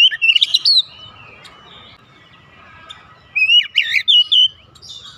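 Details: Caged house-kept Oriental magpie-robin, recorded to help a bird that rarely sings: a short burst of bright whistled notes, a long quiet stretch with faint hum, then a second whistled, slurred phrase.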